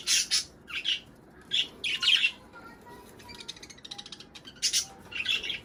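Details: Budgerigars chattering for breeding: separate clusters of high, scratchy chirps with faint thin whistled notes between them.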